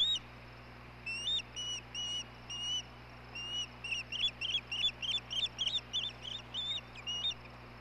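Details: Osprey calling at its nest while the male brings the female dinner, 17 May 2016: a few spaced, ringing whistled notes, then a faster series of sharp chirps, over a quiet mechanical hum.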